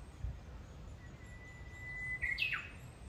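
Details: Japanese bush warbler in fresh green forest at Kitayama, Kyoto, Japan, June 2022: a long, steady whistle that snaps into a quick rising-and-falling flourish, over a low rumble of ambient forest noise.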